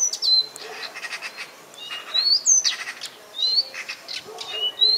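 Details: Singing common nightingale gives a run of bright rising whistles, quick slurred sweeps and short buzzy bursts in uneven phrases, over a soft background of other small birds chirping.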